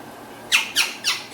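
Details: A pet Indian green ringneck talking parakeet (Rose-ringed parakeet) gives four harsh, shrill squawks in quick succession, about four per second, in a small quiet room.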